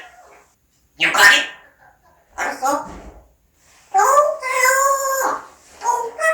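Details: Parrot kept at home imitating talk, ending in a long sustained, strongly harmonic vocal note after shorter raspy syllables.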